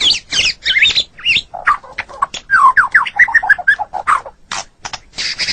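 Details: Caged white-rumped shama, murai batu, giving harsh squawking notes, then a run of quick slurred whistles and chatters.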